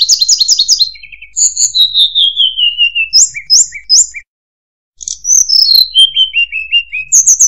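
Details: Murai buluh (tledekan) song with a rapid stuttered high phrase, a long falling whistle, paired sharp notes repeated three times, a brief silence, then a stepwise descending series of slurred whistles.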